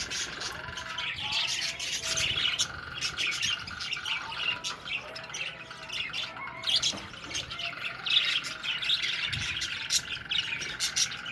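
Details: Several budgerigars (Melopsittacus undulatus) in a colony chatter at once with busy, scratchy warbles and squawks.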